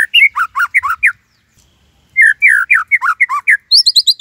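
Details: Cage-kept white-rumped shama delivering a Cililin 'tembakan' song: two bursts of loud, downward-slurred whistled notes separated by a brief silence, ending in a quick series of high thin chirps.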